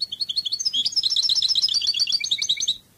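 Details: European goldfinch of the Cádiz song style from Spain: a fast, tinkling run of twittering notes and trills, densely repeated for nearly three seconds, with a quiet low hum underneath.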